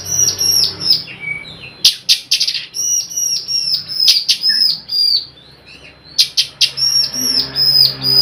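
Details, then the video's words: Nyrecet song of an Oriental magpie-robin, used to lure other magpie-robins into singing: a rapid chattering run of sharp, ringing repeated notes, about two or three per second, broken by harsh bursts and a short pause in the middle. "Suara Kacer Nyrecet Pancingan Kacer bisu agar mau bunyi gacorr"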